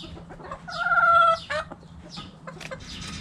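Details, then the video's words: Backyard chicken gives one loud, level, drawn harmonic squawk lasting under a second, followed by a few shorter clucks and faint background scratching. "Chicken Sounds Noises Hens Clucking Roosters Crowing!"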